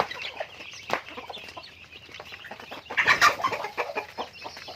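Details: Chickens in their daily routine give mixed clucks and a louder harsh squawk burst midway, over busy background chatter.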